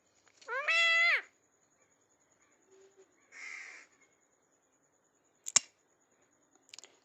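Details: A pet rose-ringed parakeet talking indoors gives a harsh, nasal, speech-like phrase, then a softer raspy utterance, followed by a sharp click and faint tapping in a quiet room.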